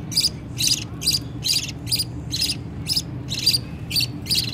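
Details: Young budgies begging as the parent feeds them: harsh, noisy rasping calls repeated about twice a second, with a steady hum underneath.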